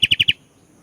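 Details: Sooty-headed bulbul in lively song: four quick, evenly spaced bright whistled notes, then quiet.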